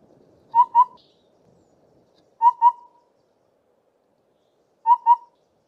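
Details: Southern Boubou near Trumpeter's Drift near Grahamstown giving a low, hollow double whistle, "boo-boo", the call its name comes from, repeated three times about every two seconds over faint background noise.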